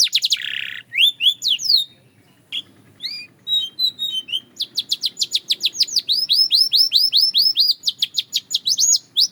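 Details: Belgian canary in song: a buzzy rattle opens, scattered whistled slides and short notes follow, then a long rhythmic run of bright rising chirps and looping whistles, faint hum behind.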